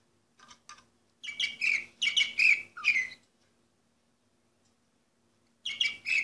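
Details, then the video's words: Orpheus canary, 2014 bird number 24, delivering bursts of rapid, chirpy, twittering song lasting about two seconds, separated by silence, then resuming near the end. "canary orpheus 2014 number 24"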